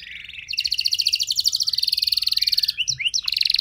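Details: Canary song to prompt other canaries into long singing: a steady, rapid, pulsing high trill held for over two seconds, followed by a few sharp whistled slurs and another trill.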